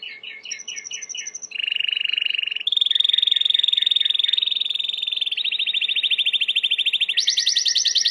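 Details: Singing Timbrado canary, a training song of back-to-back rolling trills that shift in pitch from low to high, each tour a steady rapid pulsing, growing louder and ending on a bright high roll.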